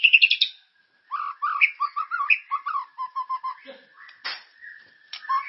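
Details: White-rumped shama song intended to trigger singing in caged birds: high trilled opening, then a steady series of short mellow whistled notes, ending with a harsh burst and further whistles.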